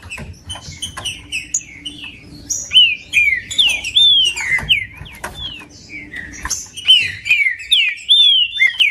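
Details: Green-winged saltator song, played to warm up a cold bird for tournament breeders: loud whistled slurs sweeping down, repeated in quick succession, mixed with sharp high chirps and clicks from other birds.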